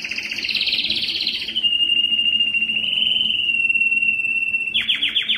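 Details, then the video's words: Belgian canary singing its strongest song to draw females for breeding: a dense high trill gives way to a long, even, tinny trill held for about three seconds, then closes with quick descending rolled notes. "O canto mais forte do canário belga que atrai as fêmeas para a reprodução"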